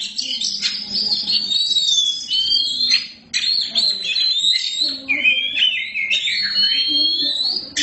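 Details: Oriental magpie-robin, black form called kacer hitam, in loud gacor song: sustained high whistled lines mixed with harsh chattering notes and rising slurs, brief pauses between phrases.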